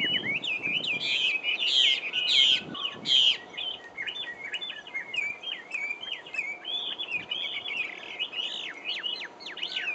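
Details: Chinese hwamei in Taiwan singing a loud, varied run of high whistled phrases, with rich slurred notes early on, then quick repeated chirps and rising whistles; a faint low background rumble throughout.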